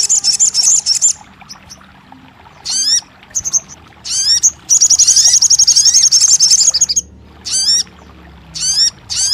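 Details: Crested jay, used to make a silent bird start singing: a short rattle, several high down-slurred notes, a longer rapid metallic trill, then more spaced sliding notes.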